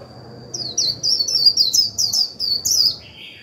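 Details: Japanese white-eye kept as a lure bird to trigger song in others, delivering one continuous run of quick, very high, sweet twittered notes lasting about two and a half seconds, with a steady high whine behind it.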